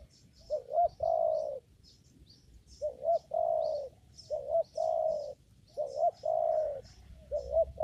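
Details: In a papaya garden where birds are being trapped, a spotted dove repeats its phrase five times: a quick upward-inflected note then a drawn-out low coo, with light high-pitched twittering of small birds throughout.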